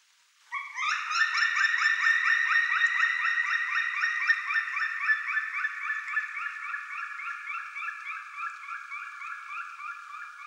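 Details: Black woodpecker calling a long, fast series of sharp, evenly spaced notes, roughly four per second, kept up for about ten seconds and gradually softening toward the end; no other sounds.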